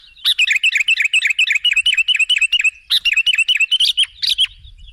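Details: Sooty-headed bulbul calls used to attract other birds: a rapid, even chatter of wavering notes, about eight per second, broken by a short pause before a second, similar burst.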